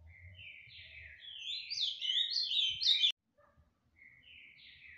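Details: A captive ultramarine grosbeak in song-and-endurance competition style from Tijucas do Sul, Paraná, sings a fast, rich warbling phrase of sweet, sliding notes that breaks off abruptly, then starts again; faint low rumble beneath.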